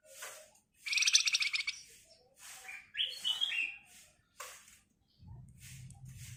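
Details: Javan white-eye delivering its "ngebren" song, meant as a lure for training songbirds: a short, rapid, buzzy high trill followed by scattered chirps and twittering notes, with a low hum entering near the end.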